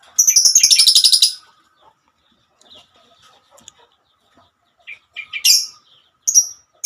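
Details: A female lovebird opens with a loud, grating chatter lasting about a second, then falls nearly quiet before a few sharp, high chirps return near the end.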